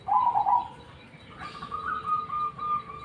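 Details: Black cemani zebra dove, noted for a special singing tone: a loud rolling coo opens, followed by a long run of softer, even, staccato coo notes after a brief rustle.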